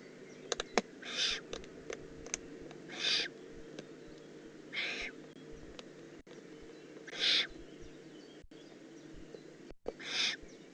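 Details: Juvenile Eurasian eagle-owl in the Eifel, 18 June 2016, repeating six hoarse hissing rasps about every two seconds, with scattered sharp clicks and taps between calls.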